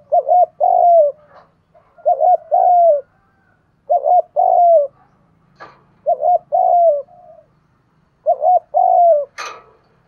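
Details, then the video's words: Repeated spotted dove cooing meant to rouse other doves to coo and fight: four low phrases about two seconds apart, each a bouncing double note and a falling hoot, with occasional sharp clicks. "cu gáy kích bổi nhanh nổi gù, tiếng thúc đấu rút bổi"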